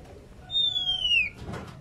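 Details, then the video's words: Female Oriental magpie-robin in breeding condition calling its companion: a single long clear whistle gliding slowly downward, followed by a soft rustle. "burung Kacer betina gacor birahi memanggil temannya"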